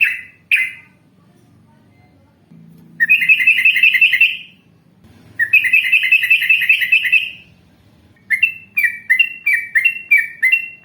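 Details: Yellow-vented bulbul from an Indonesian bird-training recording of long rapid trills: two brief chirps, two long buzzy rattling trills of nearly two seconds each, then a fast series of clipped chirps, with faint low rumbles between.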